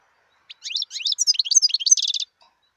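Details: Wild European goldfinch delivering one continuous, fast song phrase of bright, tinkling, up-slurred twitters, rising in intensity and ending in a short, rapid, buzzy trill.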